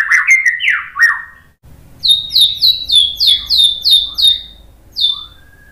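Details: White-rumped shama in 'tembakan' style, used to provoke other shamas to sing: slurred, falling whistles, then about ten evenly spaced, downslurred high notes and a final rising whistle.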